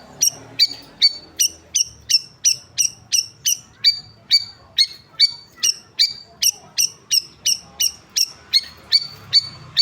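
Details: Long-tailed shrike set out in the sun; a sharp high note with a harmonic dropping below it, repeated steadily about two or three times a second throughout, with faint low background hum.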